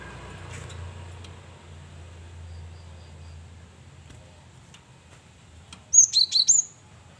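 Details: Varied song of a male cinereous tit used as a lure. Several seconds of quiet background give way to a quick run of four high, bright whistled notes near the end.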